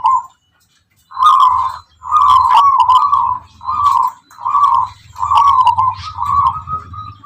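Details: Zebra dove of the local wild Tuban strain, known for its rhythmic, melodic voice: a sequence of steady, mid-pitched cooing phrases about half a second to a second long, separated by short gaps, with a faint low rumble.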